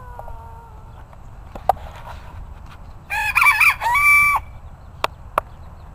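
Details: Bantam cockerel giving a full crow in several harmonic-rich segments ending in a long held note, with scattered sharp clicks and faint other calls before and after.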